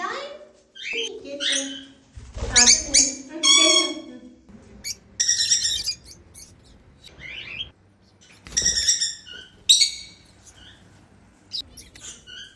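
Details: African lovebirds, a flock flying freely and called happy, trade shrill squawks and squeaky chirps in irregular bursts, some notes rising or dropping in pitch, with brief quiet gaps and a few low thumps.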